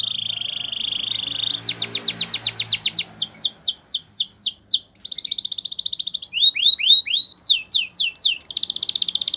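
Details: Russian canary song made of a steady high trill, then a long series of quick descending whistled sweeps, broken by bursts of dense buzzy rattles near the end.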